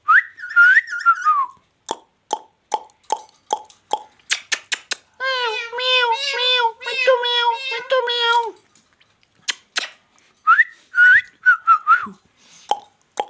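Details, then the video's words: Talking ringneck parakeet in a small room, imitating a cat: wavering whistles, a run of sharp clicks, then a long string of nasal, harmonic-rich meow-like syllables, followed by more whistles and clicks. "king of talking |magical |parrot |king |of| magical |ringneck parrot"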